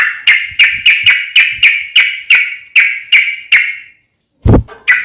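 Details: Sooty-headed bulbul sound used to provoke a bird into answering: about twelve loud, harsh, identical notes repeated roughly three times a second, then a short silence, a thump and a final note.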